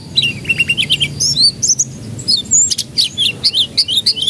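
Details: Canary song used as a lure so young canaries start singing sooner; rapid high chirps and short whistled phrases, some rising and falling, delivered in quick bursts with a faint low hum beneath.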